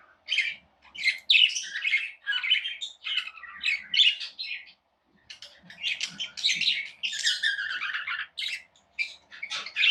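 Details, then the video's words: Chattering of tamed pet budgerigars kept indoors: dense, squawky warbling and sharp chirps in irregular bursts, a brief silent gap near the middle, then more excited overlapping chatter. "Budgies Sounds"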